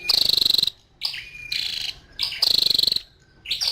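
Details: Female scarlet-backed flowerpecker giving two loud, buzzy, rapidly pulsed high notes about half a second long, with a thin steady whistle and a brief softer note between them.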